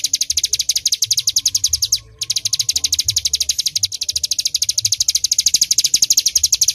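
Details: Bar-winged prinia (ciblek gunung) singing loudly in the full 'tembakan' rapid-fire style: a long, fast string of sharp high chips, about ten per second. The string breaks briefly after two seconds, then resumes evenly.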